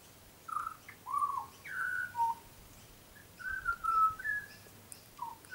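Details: Young, tame butcherbird singing on one of its frequent garden visits: clear, fluty whistled notes in short phrases, some sliding slightly down or up, in two bursts separated by a brief pause, over a faint low background hum.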